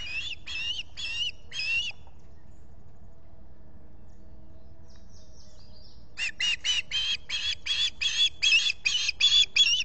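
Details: Osprey on its Finger Lakes nest, US, July 2021 morning, reacting while a visitor is present, filmed by solar-powered camera; four shrill notes, a pause, then a quickening run of about twelve loud squealing calls.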